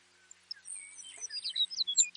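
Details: Baird's sparrow, a North American grassland bird, singing: a few thin scattered high notes, then a quickening burst of sharp tinkling chips that climbs in loudness toward the end.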